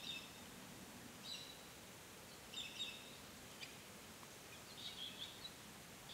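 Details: A female hooded robin in Canberra on 29 February 2020 calls with soft, high chirps, given singly or in short clusters every second or two, over a quiet background hiss.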